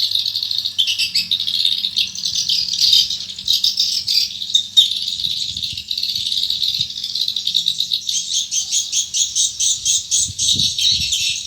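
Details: Near the door of a swiftlet building, swiftlets entering the nest produce a continuous dry rattling chatter, pulsing in rapid bursts toward the end, with a few low knocks.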